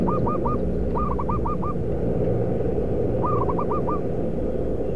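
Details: Wild zebra dove lured during trapping at a concrete pipe and paving factory in Kudus, Central Java, Indonesia. Three phrases of rapid, short rising cooing notes over a loud, steady low industrial rumble.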